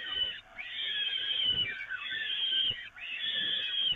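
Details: Feeding time for peregrine falcons on the Evoluon nest grating, 13 May 2018: three long, hoarse, wheezing cries, each stretched over a second or more with brief gaps between them.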